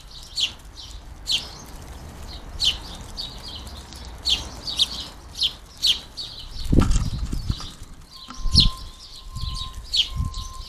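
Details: Wild house sparrow fledglings at a garden bird feeder being fed, giving steady high, sharp chirps in quick succession, with low thumps and wing flutter in the second half and a faint steady tone near the end.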